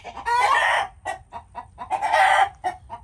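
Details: Two long, harsh chicken squawks, each nearly half a second, separated by a handful of short, evenly spaced clucks.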